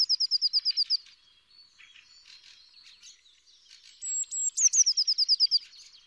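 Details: Green-backed tit song: a fast series of high, sharp repeated notes lasting about a second, a softer twittering middle section, then another rapid run of bright high notes.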